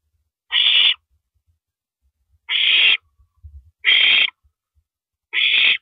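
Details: Owl filmed by a live camera in the early hours of April 9, 2012, as an owl downs a rabbit; four rasping, breathy screeches, each under half a second, at uneven intervals, with a brief soft rustle in between.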